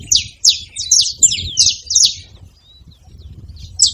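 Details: Saffron finch, a short burst of about seven quick, high descending chirps, then near silence before one more chirp at the end.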